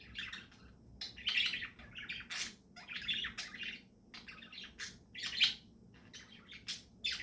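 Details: Morning chatter of budgies: a steady run of quick, bright chirps and warbled twitters in clustered bursts, some notes sharper and louder, against a low, even room hum.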